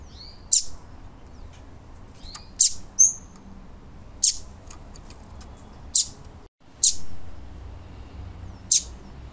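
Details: A female Double-collared Seedeater gives her male-stimulating call, a series of six or seven crisp high chirps dropping sharply in pitch, repeated at irregular one- to two-second gaps over low background noise.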